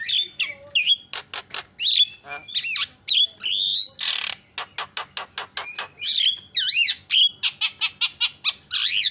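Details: Javan myna (jalak kebo) singing loudly, mixing whistled swoops and squeaks with long runs of rapid clicking rasps repeated several times a second, with a brief hissing burst midway.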